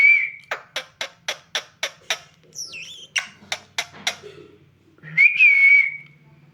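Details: Pet parrot making a steady run of about a dozen sharp, evenly spaced clicks, framed by a high, slightly wavering whistle at the start and a louder looping whistle near the end; faint low hum underneath.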